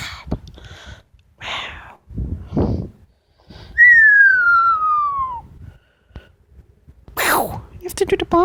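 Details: Pet female Amazon parrot making rasping squawks, then a loud, clear whistle falling smoothly over about a second and a half. A sweeping harsh screech and trailing warbled notes close the sequence.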